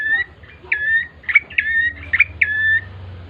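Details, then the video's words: Bar-winged prinia song played to prompt birds to sing: a quick series of sharp clicks each trailing into a flat whistled note, five or six phrases in a row, with a faint low hum behind. "pancingan prenjak coki GACOR❗ agar cepat bunyi"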